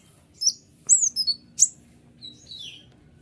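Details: ['White-winged triller delivering crisp high notes for training caged songbirds: a single chip, a falling slurred group of three, a sharp high note, then softer descending whistles, over a quiet low hum.']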